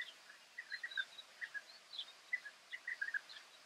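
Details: European bee-eaters (Merops apiaster) in the Camargue, France, in May 2018, giving soft, liquid rolling calls in short bursts repeated several times a second, with a few higher notes over faint hiss.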